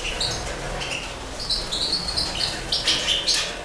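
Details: Caged breeding European goldfinches of the major subspecies, 2012 season: a run of bright, high twittering notes and short whistled chirps that rise and fall in quick succession, with a faint background hiss.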